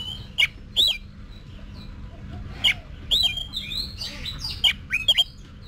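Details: Oriental magpie-robin, kept cage bird in voice training for singing contests: scattered bright whistles and snappy slurred notes, some paired, with gaps of about a second and a faint constant background hum.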